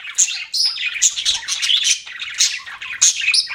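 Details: Pet budgies chirping in quick bursts of high, sharp tweets and thin whistles, broken into clusters about every half second over a busy warbling background.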